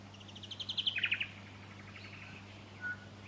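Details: Fuscous honeyeater recorded in Victoria, Australia, in September 2019: a quick run of about eight clipped, high notes that swell in loudness and slightly drop in pitch, then a fainter trailing phrase and one short whistle, over steady low hum.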